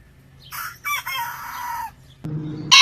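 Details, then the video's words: Rooster crowing in a backyard compilation: one harmonic-rich crow of about a second and a half that holds a level note and then trails off, followed by a burst of low rumbling noise and a sharp loud click at the end. "Chicken Crowing Ayam Berkokok Con Gà Gáy White Rooster Sound"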